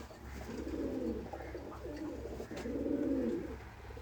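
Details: Pigeon cooing in three rolling, low-pitched phrases, each swelling then fading, over constant low background hum.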